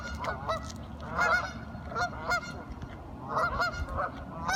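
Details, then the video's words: Curious ducks chattering to each other: loud, nasal, honk-like calls in clusters about a second apart, over a low rumbling background. "Duck Sounds - Curious ducks talking"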